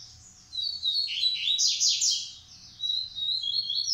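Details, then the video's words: Caged male double-collared seedeater from a Brazilian breeding facility, Massai and Bahian styles compared; loud, rapid series of sweeping downslurred whistles, then a brief pause and a steadier run of high, clear, repeated notes. "Coleiro Massai x Coleiro baiano"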